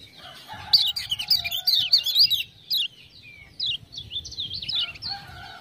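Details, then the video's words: Lemon-bellied white-eye from Lombok, spurred on by 'ciak-ciak' sounds, pours out rapid high zigzagging warbles. A steady lower drawn-out tone runs beneath the opening and returns near the end. "Kecial Kuning joss gacor"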